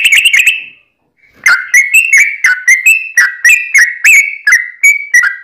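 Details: Sooty-headed bulbul in energetic gacor song of the long 'ropel' rolling style, used as a lure to make other bulbuls answer: a brief bubbling phrase, a pause, then rapid clear liquid notes about three per second, rising and falling.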